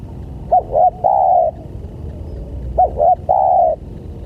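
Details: Spotted dove call used as a lure to attract other doves: two short clipped notes followed by a longer level coo, the phrase repeated twice about two seconds apart.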